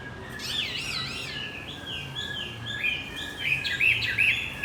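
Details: Lure song of a Javan white-eye, used to coax a silent male back into song: bright high warbling loops and wavering chirps that grow louder and quicker toward the end.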